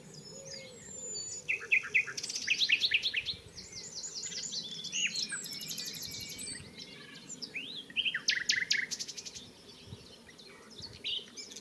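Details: A common nightingale, filmed close up at Barcombe, Sussex, on 30 April, sings rich, varied phrases with rapid repeated notes, chuckles and pure whistles in bursts; faint rustling and a low hum underneath.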